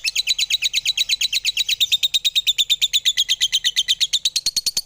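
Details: Lovebird singing indoors at home, a continuous rapid chatter of sharp high notes, about three per second, steady and unbroken throughout.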